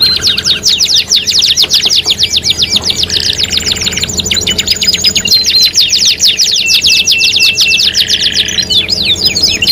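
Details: Canary singing in a 3-in-1 lure mix: long sequences of rapid high sweeping notes interrupted by short buzzy rolls, continuous and energetic throughout.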